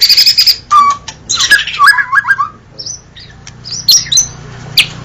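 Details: White-rumped shama song, played as a reference for training birds: harsh buzzy bursts and short whistles in uneven phrases with pauses, over a steady low hum.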